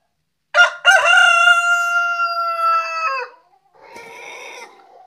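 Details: Rooster in a Kerala village, India, giving a loud, full crow: two short opening notes, then a long, steady, harmonic note held about two seconds that falls away, followed by softer hoarse calling.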